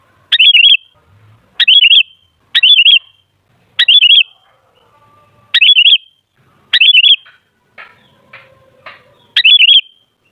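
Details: Sooty-headed bulbul, used as a lure recording to make bulbuls noisy and chatty. Bubbly, warbling short phrases repeat about once a second. Faint low clatter and murmurs fill the gaps.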